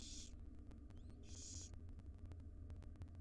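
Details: Wild barn owl owlets, five in a monitored nest box, begging as their mother brings breakfast: two short rasping hisses about a second apart, a faint thin rising whistle between them, over a steady low electrical hum and clicking.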